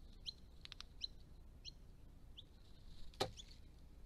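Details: Resident Eastern Rosellas visiting a pond on a rural Australian property give short, high chirps every half second or so over a low background rumble, with one sharp knock near the end.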